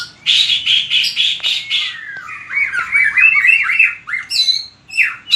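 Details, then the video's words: White-rumped shama in song training for competition: opens with a burst of harsh rapid buzzy notes, then a long descending slur into quick fluted whistled phrases and sharp high upslurs. "Luyện chòe lửa hót đấu/luyện giọng chòe lửa/kích lửa shama bird"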